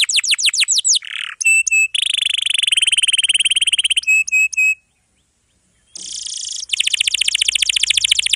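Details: Canary singing long rolls for tutoring young or silent canaries: fast downslurred notes, pure steady whistles, a long buzzy rattle, a short gap of silence, then further rapid trilling.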